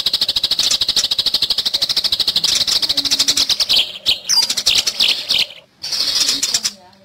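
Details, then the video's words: Fighting Eurasian tree sparrow, used to teach other songbirds: a rapid rattle of high chirps that slows into separate sharp notes, then a short silence and a final buzzy burst. "Masteran MURAI BORNEO gereja tarung"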